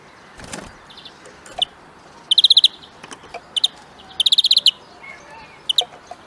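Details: European greenfinch song: short bright trills of four to six quick metallic notes in bursts, well spaced, with faint softer chips between and a brief rustling noise near the start.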